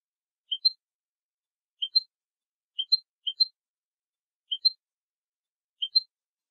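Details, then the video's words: European goldfinch from a tutoring recording for young goldfinches. Sharp paired chirps, a lower note followed by a higher one, repeat roughly every second. The pauses between them are silent. "الشريط الملكي لتسميع فراخ الحسون 2020 - Goldfinch Song - Jilguero Canto"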